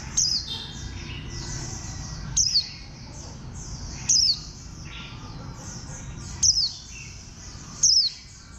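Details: Warbling white-eye, a bantam-shaped green white-eye, calls five times with sharp, high, steeply falling chirps at intervals of one to two seconds, over a dense chorus of distant twittering birds.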